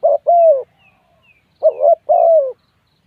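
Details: Close, loud spotted dove giving two coo phrases, each a short clipped note and then a drawn-out, gently falling hoot, separated by about a second of quiet. Faint, soft high notes are heard between them.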